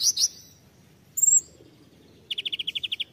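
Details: Konin tembakan song with two sharp high chirps, a brief whistled note, then a run of about ten evenly spaced rattling notes.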